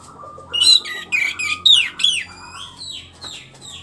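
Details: After moulting, a caged orange-headed thrush regaining full song delivers a rapid, loud run of varied whistled phrases, bright chirps and descending slurs, overlapping with a low steady hum in the background.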